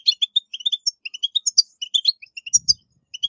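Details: European goldfinch pouring out clear, chirpy notes in a steady stream with a few buzzier trills, a strong twitter used to get captive goldfinches singing; a low rumble briefly underneath.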